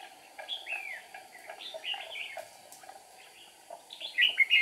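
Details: Red-whiskered bulbul used as a decoy during trapping on 8 April 2019, singing to provoke wild rivals; bright slurred whistled phrases, rising and falling, in loose bursts, with a steady background hum.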